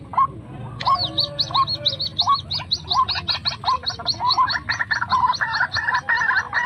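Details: White-breasted waterhen call (srimbok, truwok, ruak-ruak) played to lure wild birds: a gurgling start, then a rapid string of clipped, nasal notes with high squeaky edges, growing denser toward the end.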